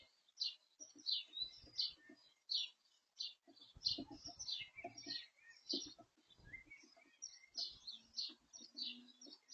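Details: At a garden feeder, a feeding blue tit gives soft high chirps in short bursts, unevenly spaced, with a few lower twittery notes and faint knocking sounds in between.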